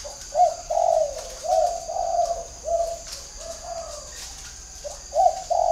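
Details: Decoy spotted dove in captivity with a whistle-like voice; a sequence of steady low coos, several drawn-out notes in a row followed by a pause and two more, over a constant high background hiss.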